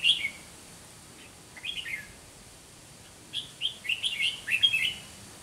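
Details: Fighting song from a Red-whiskered bulbul decoy bird at a trapping session: short clear whistled slurs opening, then a lively run of rapid, chirpy warbling notes, clean background with a faint steady tone.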